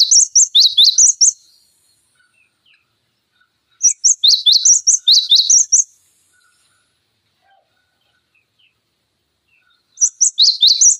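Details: Cinereous tit singing as a tutor recording for training songbirds such as magpie-robins and greenbuls: three bursts of sharp, high, rapid chirps, each lasting about two seconds, separated by quiet gaps.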